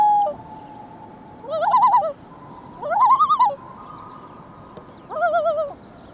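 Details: A Common Loon wails up north, giving three wavering, quavering notes about every 1.5 seconds, each rising then falling, with a faint steady tone drifting between them.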